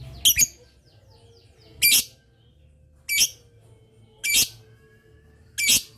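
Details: Lovebird giving 'ngetik' chatter to make other lovebirds answer; five grating, shrill chirps spaced about a second apart, the first one doubled, over a quiet steady hum.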